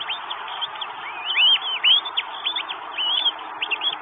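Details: Estonian Northern goshawk bringing food, 12 May 2022: a busy series of short looping whistled calls, some overlapping, rising then dropping, repeated several times a second against constant background hiss.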